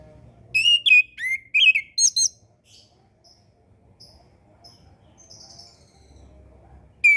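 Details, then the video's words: Orange-headed thrush song meant as a master for young birds just learning to sing: a rapid run of loud whistled and slurred notes in the first two seconds, then soft scattered high chips and quiet background. "MASTERAN SUARA ANIS KEMBANG KHUSUS UNTUK ANIS KEMBANG BARU BELAJAR BUNYI DAN KURANG BIRAHI"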